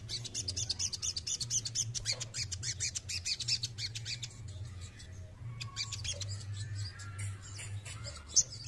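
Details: Loud dry rattling from a male crested jay: rapid trains of sharp clicks for several seconds, then thinner scattered clicks, with a low continuous hum behind.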